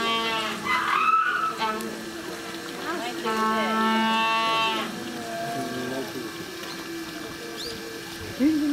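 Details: Humboldt penguin braying at Suzaka City Zoo in Nagano, Japan, 3 November 2018: a series of harsh, harmonic, donkey-like honks rising and falling, with pauses between, and faint background noise.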